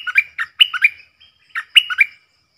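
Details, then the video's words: Stripe-throated bulbul decoy bird singing to train young birds and lure wild birds: two loud, rollicking phrases of quick liquid notes with short flat whistles, repeated after a brief gap. "เสียงนกดอกแตงEp.44 นกต่อเจ้าเพชร|เสียงดังฟังชัด เปิดเพลงเบิ้ล เพลงเพราะน่าฟัง merbah lekir"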